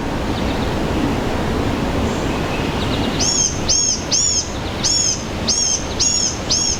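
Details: A Blue-gray gnatcatcher calls in a forest, giving a run of thin, very high, slightly wheezy arched notes, about seven in under four seconds, over steady rushing background noise.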